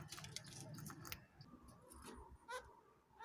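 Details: A hand-reared, tame kakariki that is starting to talk ("coucou pookie", "beau kiwi", "peekaboo") chatters in a raspy, speech-like babble, then gives short rising chirps near the end, with indoor room noise behind.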